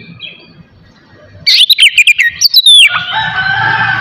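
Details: Oriental magpie-robin (kacer) morning song for stirring other males' aggression and breeding urge: after a quiet start, a short loud run of clipped whistled notes ending in a long descending slur, followed by a steady low hum.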